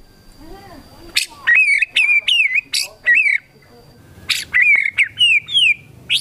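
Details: Loud, shrill white-rumped shama song full of kapas tembak fill-ins: sharp clicks followed by high slurred whistles in short bursts, separated by quiet pauses with soft background noise.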